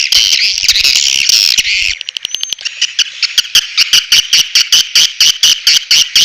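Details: Swiftlet lure call, Elang Borneo style, natural sound for attracting swiftlets: two seconds of harsh chattering, then a steady train of sharp clicks repeated about four times a second, each with a buzzy edge.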